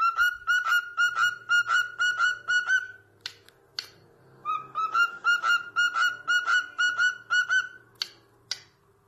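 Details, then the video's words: Pet cockatiel whistle: rapid series of short bright whistled notes repeated about twice a second in two bursts, with faint low rumble and a few sharp clicks between them. "cockatiel bird singing and talking"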